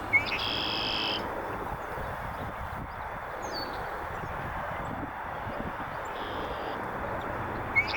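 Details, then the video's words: A red-winged blackbird at a northern USA beaver pond edge calls to mark its territory. A clipped note leads into a strong buzzy trill at the start. A fainter trill comes near the end, over a steady rushing background. "A North American Red-winged Blackbird calls out on the edge of a northern USA Beaver pond"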